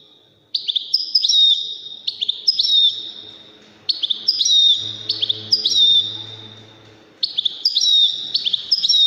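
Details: Waddani-style European goldfinch song, played for goldfinch chicks and hybrids to learn from: bright high twittering phrases with a clear whistled note, given in three bursts separated by short pauses, over a faint low hum.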